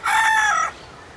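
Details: Rooster, Southwest Asia: a single short, loud crow fragment, a buzzy harmonic note held for about half a second before cutting off into quiet.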